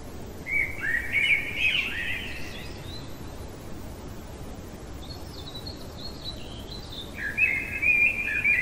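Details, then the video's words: Blackbird at night singing two full, mellow warbled phrases several seconds apart, with faint high notes between them and a steady low background noise throughout. "Merle chantant au cœur de la nuit"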